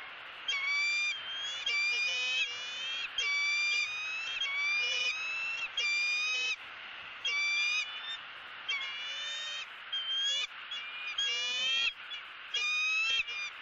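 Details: Bald eagle female at a Florida nest camera greeting the out-of-breath male bringing a headless fish, winter 2017: many shrill, rattling, high piping calls in quick bursts for over thirteen seconds, some notes sliding, light background hiss.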